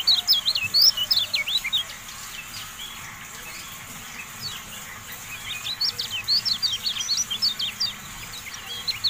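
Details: Kecial kuning, or Javan white-eye, in a masteran training recording: two bursts of quick, high, wavering chirps, a brisk phrase at the start and a longer one after a quiet gap near the middle, with steady faint background hiss.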